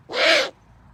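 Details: A funny-sounding owl call: one short, loud, rasping screech lasting under half a second, noisy and harsh, with a faint steady tone inside it. The background is silent afterwards.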